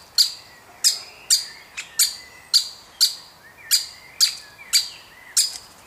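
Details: Young woodpecker being fed: a string of about eleven sharp, scratchy high chirps roughly every half second, with faint soft whistles from other birds behind them.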